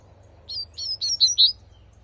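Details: Double-collared seedeater in the wild giving a tui tui style song: five clear, high whistled notes spaced evenly, each louder than the last, ending abruptly over faint low rumble.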